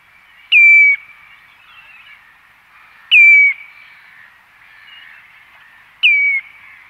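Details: A common redshank at close range on the Ythan Estuary, Aberdeenshire, gives loud, ringing whistled notes that drop slightly in pitch, one every two to three seconds; gulls and other waders call faintly in the distance.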